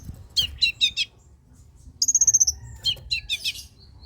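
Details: Long-tailed shrike song meant to get lazy shrikes singing. Four harsh buzzy notes are followed by a sweet, fast whistled trill, then more grating notes in a short cluster. A low hum runs throughout.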